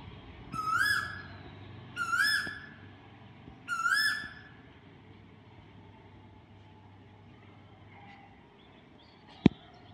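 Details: Asian koel in Dehradun giving three rising, ringing whistled calls in quick succession, about one and a half seconds apart, then quiet hum with a single sharp click near the end.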